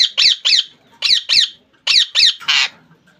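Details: Rose-ringed parakeet kept as a pet by a Bangladeshi hobbyist, calling with shrill, harsh screeches in pairs and triplets, ending with one broader, rasping squawk; quiet indoor background.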